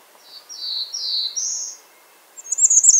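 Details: Bay-breasted warbler: four drawn-out, slurred high notes in a row, then a sharp, very high buzzy trill.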